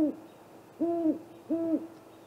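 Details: Great horned owls, a pair, at a great gray owl snag nest after dark in April: three separate drawn-out hoots, each rising then falling, spaced under a second apart over a quiet background.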